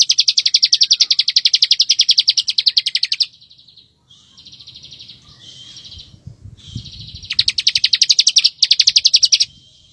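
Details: Master-recording song of a bar-winged prinia, kept for teaching white-rumped shamas. A long run of fast, pulsed, high chattering notes opens it, then softer thin trills, then more rapid pulsed bursts after a pause.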